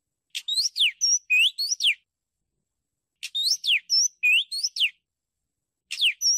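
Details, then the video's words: Oriental magpie-robin repeating one short whistled phrase three times: a sharp click-like note followed by swooping, falling and rising clear whistles, each phrase under two seconds, separated by brief silences. "นกกางเขนบ้าน นกบินหลา | เสียงนกกางเขนบ้าน | เสียงชัด 100% (เสียงต่อนก)"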